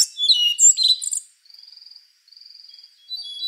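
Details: A rufous-brown solitaire ends a quick phrase of squeaky, slurred notes, then gives two soft, fast, even trills before another high note begins.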